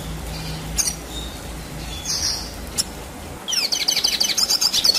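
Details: Red siskin in energetic, long rolling song, meant as tutor material for competition birds: faint scattered chirps for three seconds, then a fast, high twittering run of sharp, clipped notes.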